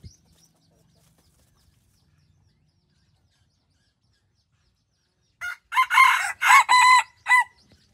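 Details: Pradu-coloured decoy rooster from Roi Et, Thailand, crowing after about five quiet seconds: a loud, harmonic crow broken into several bursts that lasts nearly two seconds, ending with a short final note.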